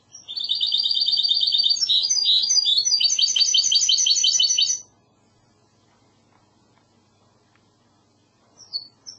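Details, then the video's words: Spanish goldfinch hybrid (mixto) singing in classic Andalusian style: a rapid, loud, high metallic trill of repeated chattering notes lasting about four seconds, then silence and a couple of faint high chirps at the end. "تغريد هجين الحسون الإسباني"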